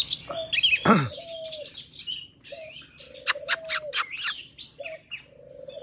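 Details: Wild Oriental magpie-robin forest song used for training young birds: varied whistled and chattering phrases, sharp rising and falling notes with steady mid-pitched whistles, plus vertical clicking bursts, in a busy outdoor setting.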